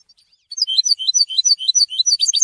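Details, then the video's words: Goldfinch song meant to inspire song development in trained birds: a lively, high-pitched jumble of tinkling chirps and twitters that grows denser toward the end. "Golden songs for goldfinch voices for education and training"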